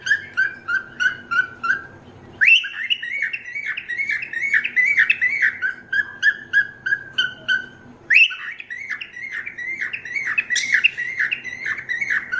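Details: A cockatiel, just moved into the house, gives repeated bright, rising chirps and whistled contact calls in quick series.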